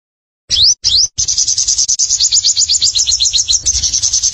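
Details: Energetic sogon (sunbird) song: two clear rising chirps, then a dense, fast, high trill of slurred notes for three seconds over a continuous low rumble.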